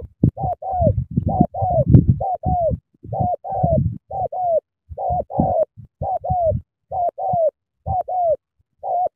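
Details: Spotted dove from Cà Mau, a vigorous cooer in the sắm thổ style, giving short paired mellow coos, many ending in a downward slur, repeated steadily. Low thumping and rumbling noise sits beneath the first half.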